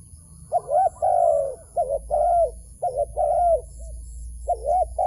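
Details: Cooing of a wild dove at a trap site, with short and longer mid-pitched notes in an uneven run, some notes bending up then down, and faint low rumble behind.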